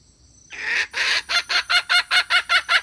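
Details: Red junglefowl hen call used as a lure to attract males: after brief silence, a long harsh cackling note, then a steady series of rhythmic raspy clucks, about four per second.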